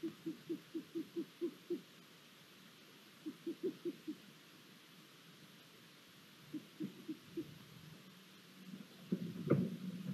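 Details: Long-eared owls at a nest in Hungary on 23 April 2022, during the male's food deliveries and after a new chick hatched: bursts of short, low hoot-like notes in quick runs, separated by pauses, ending with a louder knock and rustling.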